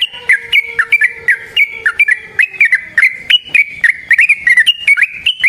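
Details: Fast chattering trucukan (yellow-vented bulbul) song used to lure bulbuls: dense bubbly whistled notes rising and dropping in quick succession with no pauses.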